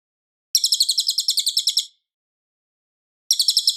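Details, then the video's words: Cililin singing loudly and clearly, a song used as a master recording for training White-rumped Shamas: a rapid, high, dry chattering trill of about thirteen notes, a pause, then the trill starting again. "MASTERAN MURAI BATU - suara Cililin Gacor jernih keras berjeda 10 detik"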